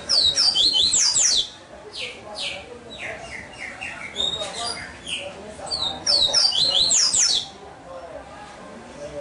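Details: Caged double-collared seedeater, a captive-bred bird, delivering two loud bursts of high, rapid, tinkling twitters and slurred whistles about six seconds apart, with quieter notes between them and a low background murmur.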